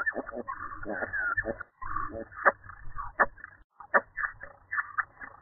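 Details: European starlings inspecting a flicker nest box, caught by a nest-box camera: dense chattering, clicking and rattling notes with short whistled slurs, broken by two brief silent gaps.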